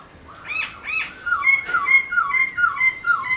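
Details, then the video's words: A laughingthrush, played to stimulate and train caged laughingthrushes, sings loud, clear, rich, fluty whistled phrases of slurred, falling notes, several per second, in a small quiet room. "khướu múa hót bạc má khướu mun"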